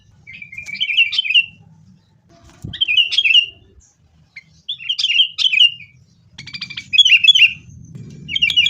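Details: Sooty-headed bulbul in a fighting-style lure recording meant to spur kept birds to sing: five short, separate phrases of slurred, warbling notes spaced about every one and a half seconds, with faint low noise and a click.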